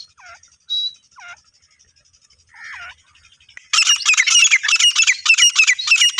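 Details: Female grey francolin of desi stock: a few soft downslurred whistles separated by quiet gaps, then a loud, harsh chattering series of rapid notes bursts in and runs on without pause.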